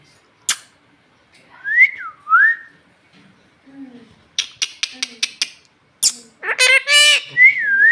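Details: Hungry talking parrot, presented as Bhojpuri-speaking, begging for roti. It gives a swooping whistle, then a burst of dry clicks, then a harsh, voice-like mimicked phrase and another looping whistle, all indoors with no other sounds.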